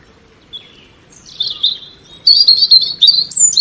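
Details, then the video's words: European robin singing a quick, varied phrase of high thin whistles and tinkling trills, starting soft and rising in strength over a few seconds. "Birdsong European Robin"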